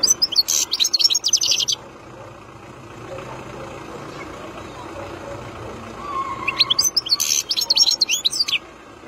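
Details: Wild European goldfinch singing, two bursts of rapid, tinkling, twittering high notes separated by a few seconds of quiet, with faint distant traffic rumble.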